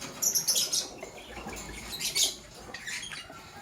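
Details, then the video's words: Lovebirds, a green Fischer's and a pastel blue, chirping in the morning: bursts of sharp, high, scratchy chirps in quick clusters, pausing briefly before another run of twittering, with a faint low background hum. "Lovebird Chirping Sounds"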